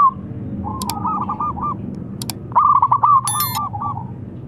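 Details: Local zebra dove calling with a rival answering: a soft series of short coos, then a louder rolling run of pulsed coos breaking into separate notes, with sharp clicks and a brief ringing tone.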